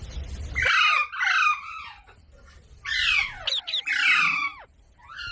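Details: Parrot calling in a talking compilation: loud, harsh, buzzy squawks that slide downward, in three bursts across about five seconds with short quiet gaps between them.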